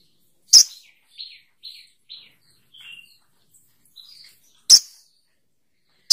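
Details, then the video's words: Sogok ontong bird calling: sharp high clicks mixed with short thin chirps descending in pitch, spaced irregularly with silent gaps between. "Suara Burung SOGOK ONTONG"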